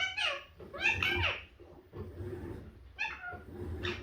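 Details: Pet Indian ringneck parakeet of a green-yellow mutation, very talkative, producing bursts of harsh, speech-like chattering syllables in a small room, with pauses between phrases and low background rumble.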